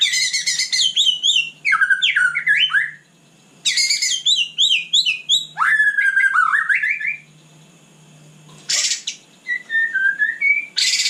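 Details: White-rumped shama singing at night, a rich rapid series of whistled, slurred and chattering phrases, some sweeping down, in bursts separated by short pauses.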